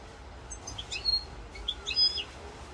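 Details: European goldfinch of the 'rosse corse' type, 7 November 2022: a few separate high, clear whistled notes, then a short run of sharp tinkling chirps near the end, over a soft background hum.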